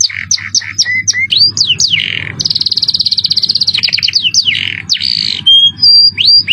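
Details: Cengkok mewah canary song with shrill jerih tones used as masteran: chirps and swooping slurs, then a long rapid trill of many notes and clear whistles near the end, low hum throughout.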